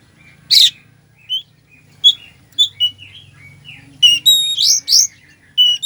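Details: Sluggish-bird stimulation song of an Oriental magpie-robin packed with mimicry: a harsh burst, then scattered short chirps that build into a busy passage of whistles and buzzy notes near the end.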